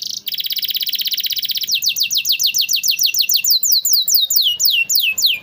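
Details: Domestic canary song for training and prompting canaries that rarely sing: a brief high note, a fast buzzy trill lasting over a second, then a steady chain of clear downward-slurred whistles repeated roughly three times a second.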